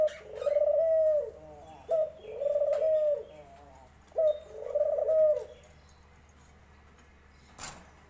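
A dove gives low, soft cooing phrases, each a short note followed by a longer rolling coo, repeated three times. A brief click is heard near the end.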